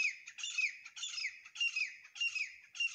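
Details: A pair of grey francolins calling: harsh, squawky, high-pitched notes in quick bursts, each with a downward slur, repeating roughly every half second in a steady rhythmic series, fairly quiet, with no other clear sounds.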